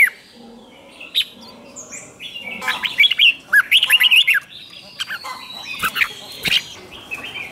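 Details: Red-whiskered bulbul in competition 'hót đấu' singing meant to stir other birds into song. Scattered chirps lead into a burst of quick warbled whistles midway, followed by sparser notes, clicks and squawky sounds.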